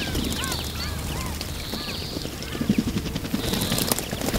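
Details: Iberian magpies bathing in a fountain; a string of arched whistled notes in the first two seconds, then mostly splashing water with low knocking sounds.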